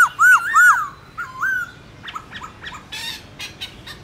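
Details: Black-throated laughingthrush in morning competition singing in the wild-forest style: two loud, clear, arched whistled notes, then softer wavering whistles and short rising chirps, ending in rough buzzy bursts.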